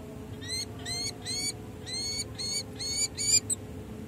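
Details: Peregrine falcon pair at the San Jose City Hall nest site, California, 16 July 2024, after a full breeding season, in a long pair-bonding session: about seven harsh, nasal, evenly repeated notes, with a steady low urban hum behind.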